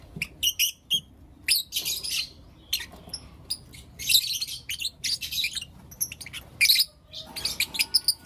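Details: Blue Opaline and Lutino Opaline lovebirds in the morning give sharp, high ticking chirps and longer rasping squawks, coming in irregular bursts with short silences between.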